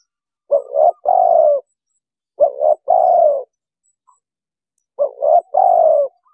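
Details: Spotted dove heard in a lure recording for catching wild doves: three matching phrases, each a short rising double coo then a drawn-out falling coo, spaced about two and a half seconds apart in silence.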